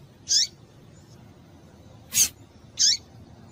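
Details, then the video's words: Female double-collared seedeater calls used to make males sing: two high chirps with a falling lower tail, separated by a loud broadband click, over faint low background noise. "Piado de Fêmea de Papa capim Vai deixar Seu Papa capim Cantando"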